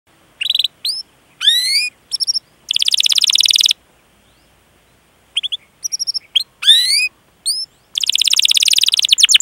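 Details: Domestic canary song used as a master recording for training young or non-singing canaries: bursts of rising whistled notes alternate with fast buzzy trills, separated by short pauses.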